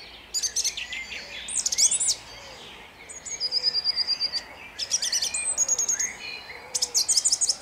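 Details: Song thrush in full dawn song at Jabłonna, 29 April 2021, delivering loud ringing phrases, several built from rapid repeated notes in stuttering bursts, separated by brief pauses.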